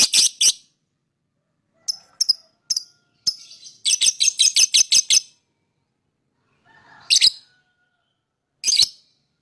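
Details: Lovebird singing and chirping to lure other birds: scattered sharp high chirps, a fast run of rapid repeated chirps, then pauses and two short chattering bursts.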